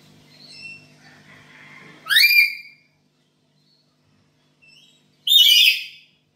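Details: Black-capped lory kept in a home, calling actively as a lure for training other birds: faint soft notes, then two loud upward-sweeping screeches about three seconds apart, each raspy and piercing.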